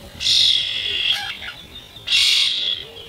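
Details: This year's young starlings fighting over food, slowed to half normal speed: two long, harsh screeches of almost a second each, grating and hissy, with a brief scratchy call between them.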